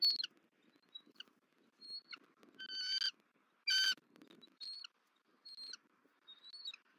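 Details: Bald eagle screeching, Southwest Florida nest camera, 31 December 2023, as the female arrives and confronts the male feeding the eaglet. Loud, shrill, grating calls with strong overtones alternate with short high whistles, spaced irregularly across several seconds.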